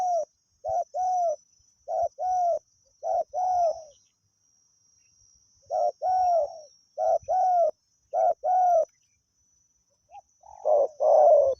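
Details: Wild spotted dove used as a decoy to lure other doves, cooing steadily: low, mellow hooted notes in short paired phrases, each ending in a slightly falling coo, repeated in two bursts with a pause between; quiet background with a faint steady high hiss.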